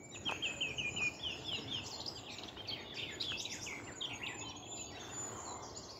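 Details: Garden warbler, newly arrived, on a bright, sunny, chilly spring morning on 24 April 2021, sings a long, rapid, even warble of mellow phrases without pause, opened by a brief series of thin high notes, over faint hiss.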